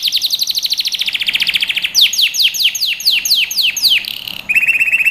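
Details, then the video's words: Canary song for training young birds: rapid rolling notes, slower strong downward sweeps about three per second, then a short buzz and a steady low trill. "Canary Singing | Melodies Canary Bird Song"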